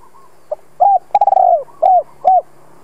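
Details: Deep cooing from a spotted dove calling to draw wild birds in: a faint note, a rounded hoot, a long stuttered coo and two closing hoots, all in a single clear phrase.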